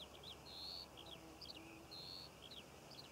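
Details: Eurasian skylark singing above Cornish poppy fields in June, mixing drawn-out high whistles with quick chirps and slurred notes in an unbroken sequence, low rumble behind.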